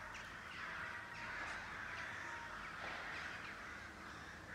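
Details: Several crows calling above the rooftops of Kiel near Blücherplatz. Overlapping rough caws come from different distances over continuous city background noise.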